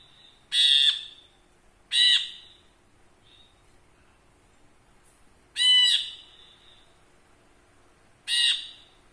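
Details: Ashy bulbul kept in a cage as a song tutor: four loud, sharp, ringing notes, each with a rich harmonic tone, spaced one to three seconds apart against quiet background hiss.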